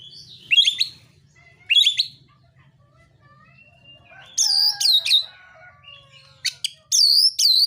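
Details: An Oriental magpie-robin delivers a narung fighting song to provoke rivals. Isolated bursts of harsh, swooping whistles come at first, then a denser run of loud notes, with soft background chatter in between.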